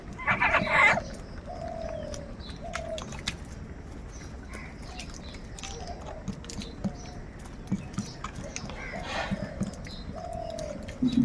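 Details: Large numbers of crows fighting for food, with short harsh caws from several birds spread through the recording amid outdoor background noise.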